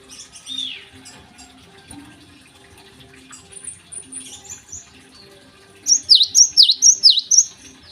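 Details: Java sparrow singing in the morning, used as a lure for untrained birds: after several seconds of faint chirps and background noise, a crisp series of four high downward-dipping note pairs.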